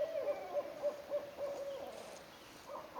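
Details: Barred Owl pair calling in a North American forest in early spring while wooing each other; a fast run of low, even hoots, several notes a second, with a quiet background.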